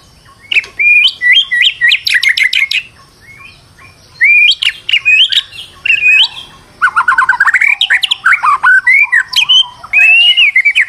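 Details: White-rumped shama, said to be stressed, singing as a lure to make another bird sing; long bursts of varied, fast whistles and rattling trills, broken by brief pauses, closing with a dense run of quick notes.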